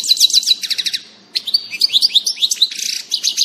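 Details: European goldfinch singing on 16 June 2018: fast tinkling twitters and liquid trills, bursts of rapid repeated notes broken by a short pause, then sliding whistled notes and buzzy chatter.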